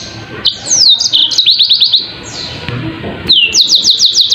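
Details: A yellow-fronted canary sings sliding whistles followed by a quick series of repeated high notes, with a brief pause before another burst of rapid trilled notes.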